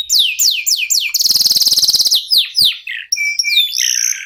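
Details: Local canary (kenari lokal) singing, used as a lure to get other songbirds singing: repeated downward-sweeping whistles, a fast buzzy trill, then varied chirps and steady high whistled notes.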